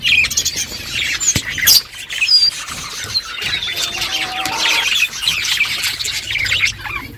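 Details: Morning flock of budgerigars calling among themselves, a dense, continuous chatter of high warbling and chirping notes with occasional sharper squeaks and a brief wing flutter.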